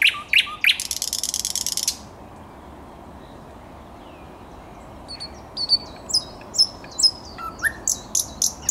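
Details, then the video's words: Thrush nightingale song recorded 10 May 2021, opening with a loud dry rattling burst, a pause of quiet background hiss, then a run of high clipped whistles and clicks repeated rapidly. "Słowik Szary"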